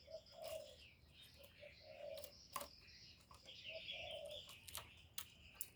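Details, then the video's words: Spotted dove coos from a recording played to lure wild doves; three low, mellow phrases recur about every two seconds, mixed with sharp clicks and thin, high twittering from other birds. "Tiếng chim cu, cu gáy kích bổi"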